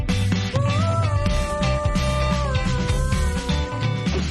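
Steady, loud band music with bass, drums and a sustained melody line, and no animal voice anywhere.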